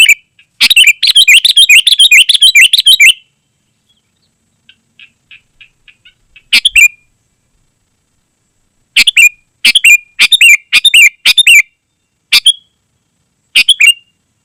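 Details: Sooty-headed bulbul singing in a dense, lively gacor style, used to lure wild bulbuls in the forest and to tutor caged birds. Bursts of rapid bubbly whistled notes, then a pause and scattered single chirpy phrases spaced about a second apart.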